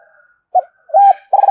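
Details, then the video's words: Brief spotted dove coo used to lure wild doves: a short soft note, then a loud arched coo and the start of a longer, pulsing note, cut off abruptly. "Tiếng chim cu gáy kích bổi"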